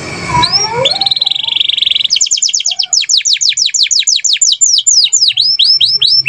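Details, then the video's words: Gacor canary in Indonesian style: after a short noisy start, a buzzy sustained note runs into a rapid trill, then a slower even series of high sweeping notes and crisp downslurs, repeated roughly twice a second. "BEAUTIFUL SOUND OF GACOR CANARIES"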